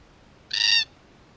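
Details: Red-tailed black cockatoo, one of a wild Australian flock investigating a hidden camera they later wreck, gives a single short rasping screech, harsh and strongly overtoned, lasting roughly 0.35 seconds against near silence.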